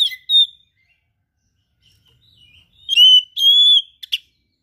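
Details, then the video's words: Kept oriental magpie-robin in full song: clear high whistled phrases, a sharp note, a pause, then long pure whistles rising and holding steady, ending in a short buzzy chip. "KACER GACOR SPECIAL FULL ISIAN"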